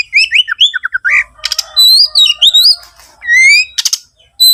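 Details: Oriental magpie-robin song, used as a lure to prompt other birds to sing. Loud whistled phrases swoop up and down, mixed with short falling notes and harsh buzzy bursts in quick succession.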